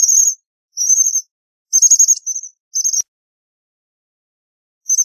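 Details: American bushtit producing high, dry trilled bursts, several in quick succession then a pause of nearly two seconds before another begins; clean background.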